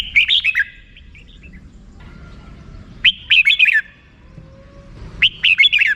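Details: Red-whiskered bulbul repeating short, bright 'rik' phrases of quick chirped notes, three bursts about two seconds apart with quiet pauses between. A faint low hum runs underneath.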